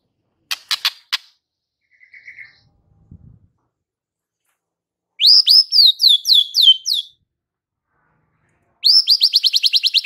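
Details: White-rumped shama singing to provoke fighter males: after scattered clicks and a faint whistle, a series of sweeping upslurred whistled notes, then a fast rapid trill of repeated rising notes.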